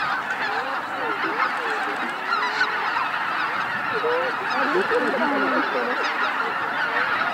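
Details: Greater white-fronted geese flying in to roost at Miyajima-numa, Bibai, Hokkaido, Japan, 2016, recorded on a JVC LS300; a dense chorus of overlapping honking calls, with rising and falling yelps standing out over a continuous clamour.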